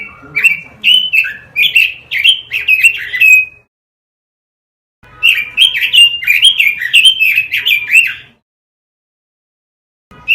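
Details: Robin song used as a master recording for training caged birds: two bursts of rapid, slurred whistled warbling with quick repeated notes, separated by a few seconds of silence.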